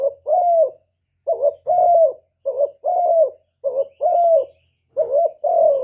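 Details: Spotted dove gives a steady run of two-part coos, a brief quavering lead-in followed by a drawn-out falling note, with roughly one phrase every second. The background is quiet.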